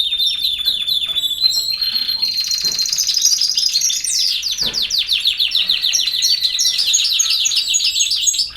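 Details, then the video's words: European goldfinch delivering campero song: steady high whistled notes give way to a long, rapid, liquid trill of repeated descending chips that runs almost without a break. "El Jilguero BiH 25"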